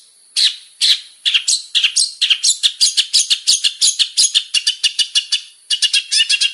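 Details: Varied song of a male long-tailed shrike: harsh, scratchy notes at first, then a dense, uneven stream of chattering and twittering phrases that jumps between pitches, ending in a short rasping burst.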